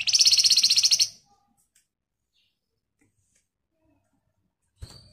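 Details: Flamboyan in dense, rapid 'nyerecet' song meant as a lure for other birds: one loud, high, rapidly pulsed buzzy trill of about a second, long silence, then a short noisy burst at the end.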